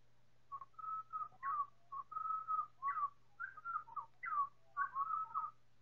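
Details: Four pied butcherbirds sing in choir, time-stretched several times, in a slowed chorus of mellow, fluted whistles that rise and slur in short phrases about every half second, over a faint low hum.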